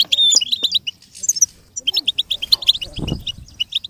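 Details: Singing goldfinch used to teach a goldfinch to imitate sounds. Quick high chirps come in clusters, with a thin whistled note at the start and a short low rumble near the end.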